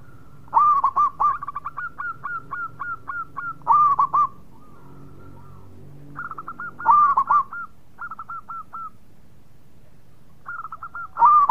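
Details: Actively singing local zebra dove giving repeated phrases. Each starts with a loud rolling coo, followed by a row of softer, evenly spaced hooked notes. The pattern recurs about every three seconds.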